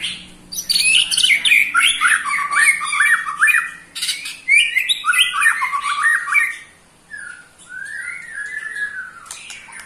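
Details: Ketrekan of an eight-month-old white-rumped shama, which agitates rival shamas: fast zigzagging whistled phrases and harsh chips in two loud bursts, ending in a few softer rising and falling whistles.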